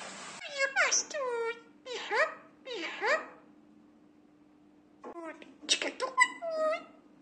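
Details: A two-year-old pet common hill myna (Gracula religiosa) speaks words and sentences it was taught, in speech-like bursts of rising and falling harmonic syllables, pausing about two seconds between groups, over a faint steady hum.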